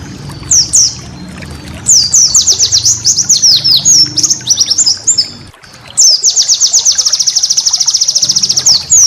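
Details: Master song of a white-eye for training caged birds, full of prized bursts. Jumbled, varied high chirps pour out for several seconds, a brief pause, then a long rapid even trill of thin notes.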